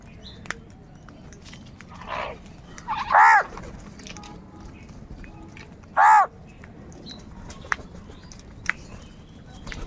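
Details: Crow calling: one faint harsh call, then two loud, hoarse caws roughly three seconds apart, each short and rasping, over a quiet background with scattered clicks.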